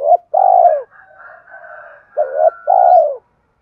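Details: Spotted dove coo used to stimulate decoy birds during training: a brief clipped note and a long, low, descending coo, soft higher twittering in the gap, then a doubled note and a second falling purr.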